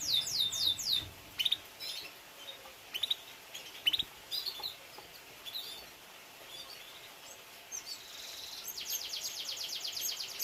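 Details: Canary in a breeding setup with chicks, giving a quick trill and scattered sharp high chips, then a fainter rapid rolling trill near the end amid light background hiss.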